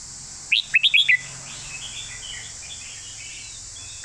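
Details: A red-whiskered bulbul delivers a master song phrase in the golden-phrasing style. Five quick, loud, rising and falling whistled notes are followed by faint twittering, then one more note begins at the end, over a constant high hiss.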